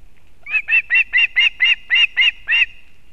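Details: Female osprey bringing fish to her chick at a Kurzeme nest in Latvia, 31 August 2024. About nine ringing, whistled chirps are spaced evenly in a fast, steady series.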